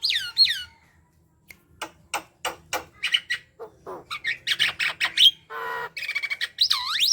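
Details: Javan myna chatter intended to prompt other mynas to sing: swooping whistles, sparse ticks, then a dense jumble of rasping and buzzy notes, closing with a loud looping whistle.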